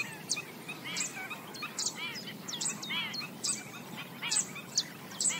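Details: Foraging black-winged stilts at a swamp's edge, uttering rapid nasal yaps in quick clusters, a few louder notes standing out among the flock, with sharp high ticks and faint hiss behind.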